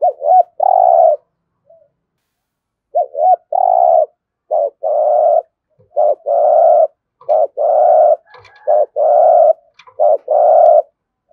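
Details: Spotted dove giving 'gù thổ' cooing to stimulate other doves: a busy run of low phrases, short rising notes each followed by a long even coo, about seven long coos in quick succession.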